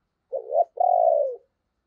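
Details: Spotted dove used as a decoy, cooing to prompt other doves to answer. It gives a short throaty note, then a long, mellow coo that slowly falls in pitch, in a clean recording with no other sounds.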